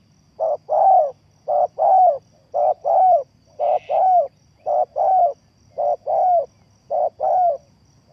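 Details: Spotted dove used as a lure for trapping, cooing in steady paired phrases: a short low note followed by a longer, slightly falling coo, repeated about every second, with a faint high hum in the background.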